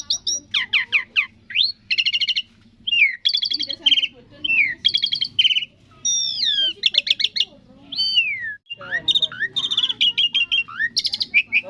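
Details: Asian pied starling (jalak suren) singing a varied 'thousand voices' song: rapid buzzy trills, rising and falling whistles and chattering notes in quick bursts, with faint low music underneath.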